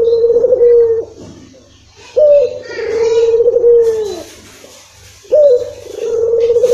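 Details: Coo of a Barbary dove (puter) played to prompt a lazy bird to call: three prolonged, low, steady notes with downward endings, separated by short gaps, faint voices in the background.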